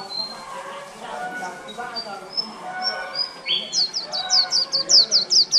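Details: Líu-style singing from a caged, wild-caught white-eye kept over a month: a few thin, high, spaced whistles, then a swelling run of quick, sharp, down-slurred chirps at the end.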